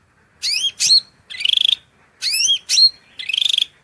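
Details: Repeated phrase of a singing cucak rante: a pair of sharp swooping whistles, then a buzzy, pulsing rising note, given twice with a clear pause between.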